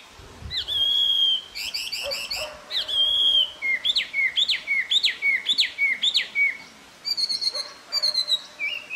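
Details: Taiwan hwamei in Jianshi Township, Hsinchu, Taiwan, April 2024: loud, varied whistled song with long harmonic notes, a run of about six repeated rising-falling phrases, then high clipped notes, rich and strongly patterned.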